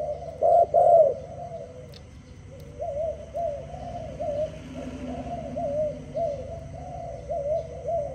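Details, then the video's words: Early-morning dove song: two loud coos open, then a softer run of quick, wavering coos repeated rapidly over a low background hum. "Dove animal singing at early morning"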